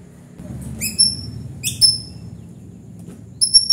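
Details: White-rumped shama in gacor song, giving three short, well-spaced bursts of very high, pure whistled notes, each a quick sharp phrase, over a faint low hum.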